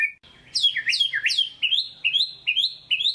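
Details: White-rumped shama singing 'gacor' lure song to excite reluctant singers: three loud looping downward-then-upward whistles, followed by a steady series of five short rising whistles repeated about every half second.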